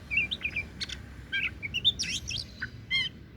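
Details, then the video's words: Oriental magpie-robin, the daput variety, singing a varied run of bright whistled and chirping notes with quick sweeps and short buzzy bursts, phrases packed closely over a few seconds against a faint low hum. "KICAUAN KACER DAPUT MEMPESONA"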